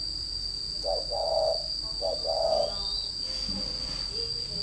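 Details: Spotted dove used as a decoy bird gives two hollow coo phrases, each a short note then a drawn-out one, before falling quiet amid a constant high whine.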